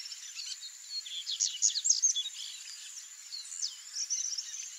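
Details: A pair (male and female) of double-collared seedeaters, a species of open fields and grasslands, gives thin, high chips and short twittering notes in quick bursts, busiest in the middle, over a steady high insect-like hiss.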